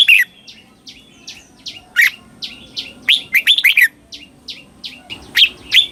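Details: Red-whiskered bulbul singing a doubled southern master-style song for young birds to copy. Loud warbled notes and short bursts recur through the passage, over steady soft chirps from other birds.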